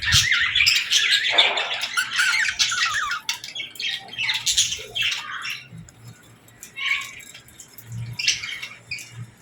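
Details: Budgerigars and lovebirds at feeding time: a loud run of rapid harsh squawks and chirps in the first few seconds, then sparser short chirps and quieter twitters with soft low knocks.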